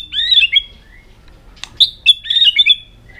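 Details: Aggressive White-rumped shama, kept bird, singing to provoke rivals: a quick warbled whistle phrase, a pause with a sharp click, then bright rising notes and a fluttering trill.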